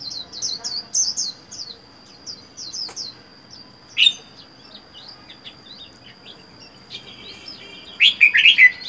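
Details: Red-whiskered bulbul, caught wild and kept caged alone for four months, sings a brief note and later a rolling warbled phrase, while other birds chirp rapidly and high in the background over a constant whine.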